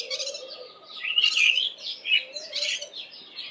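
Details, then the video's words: Cape white-eye scolding after seeing a large spotted eagle-owl on a nearby roof while foraging early in the morning; rapid, grating chatter bursts with brief bright whistled notes, a low steady hum and soft low tones behind. "Cape White-eye's alarm call upon seeing an owl"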